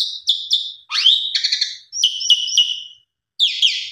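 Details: Pied myna lure song for mynas that have stopped singing: clipped high notes in threes, a long rising whistle, then stuttered buzzy figures ending in a short harsh burst.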